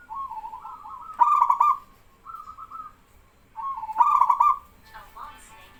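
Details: Male zebra dove coo song as other doves answer back and forth: paired sequences of low rolling coos building to louder trilled bursts, about every three seconds.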